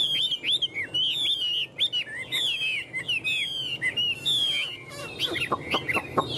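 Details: Tame Chinese hwamei kept caged, gripping the bars and flaunting wings and tail, pouring out a dense, varied stream of high whistled and slurred notes, closing with sharp clicking calls.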